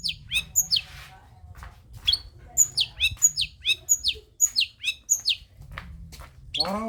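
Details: Long-tailed shrike song, kept as a lure to provoke lazy shrikes into singing: a rapid run of sharp, high, downslurred chirps and whistles repeated about every half second, with a low hum beneath.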